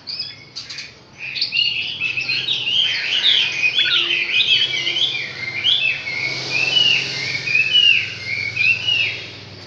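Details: Six-month-old Chinese hwamei singing a rich, fast run of varied whistled phrases, slurred up and down, pouring out almost without pause; a faint low hum underneath.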